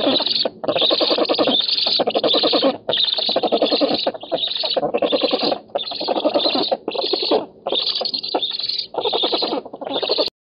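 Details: Black storks on an oak nest in Poland, 7 August 2018, nest camera, rivalry over fish. Long run of loud, harsh rattling bursts, each one to two seconds, broken by regular brief pauses.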